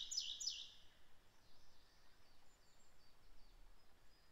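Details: A Eurasian nuthatch in Japan in mid-May, busy seeking a mate, nest hole and nesting material, gives two quick, high, sharp notes in close succession, then fainter high notes over steady outdoor hiss.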